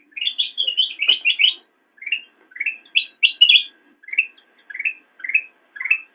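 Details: Black-crested bulbul song used as a master recording for training cage birds: a fast opening run of chattering, slurred notes, then short rising whistled phrases repeated about every half second, with no other sounds.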